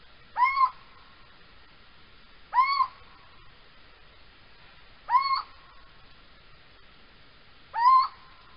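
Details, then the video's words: A little owl calls at night, 3:16 am on 3 March 2020 in Holten, giving a short, mellow, arched note that rises and falls, repeated four times roughly every two and a half seconds against a quiet night background. "uiltje roept in de nacht"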